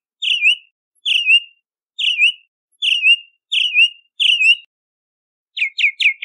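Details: A Bahama mockingbird sings a drawn-out whistle that dips and trails off, repeated six times at roughly one-second intervals, followed by a fast cluster of short sharp notes.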